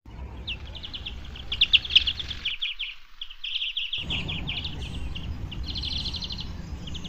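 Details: A European greenfinch (Chloris chloris) on the Manzanares riverbank in Madrid, 13 January 2023, gives rapid, high twittering trills and chattering runs of notes almost without pause, over a low wind-like rumble.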